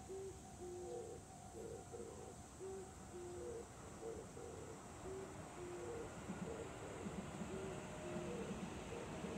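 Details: Dove calling on 14 July 2020: a run of low, hollow coos in pairs and short series, fairly even in pitch, over constant background hum and hiss.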